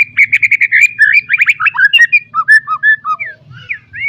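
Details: White-rumped shama with a full mimicry-filled song, recorded as training material to bring young birds into voice: a quick series of repeated whistled notes, then varied warbling slurs and upslurred whistles, with a low background hum.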